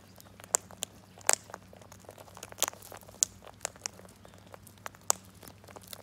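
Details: Irregular crackling and tapping clicks sound over a steady low hum in a small room.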